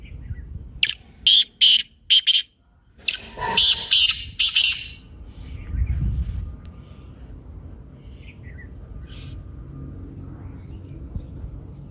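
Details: Black francolin calling, a recording used to prompt a silent or lazy caged francolin to start calling: two groups of harsh, grating bursts in the first four seconds, then quiet background hiss.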